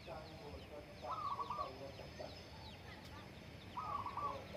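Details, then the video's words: Zebra dove (perkutut) singing in the morning on the slopes of Menoreh while farmers eat breakfast: two short bursts of rapid, rolling coos, about three seconds apart, over faint background voices. "bunyi burung perkutut"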